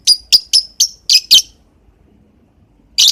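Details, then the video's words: A lovebird at morning time gives six loud, shrill chirps in a steady quick run. A brief silence follows, then one more harsh burst. "Burung lovebird di pagi hari"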